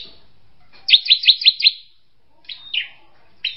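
A drongo gives a quick run of five bright, sharp notes, then a pause and three more scattered chirps, all high and metallic.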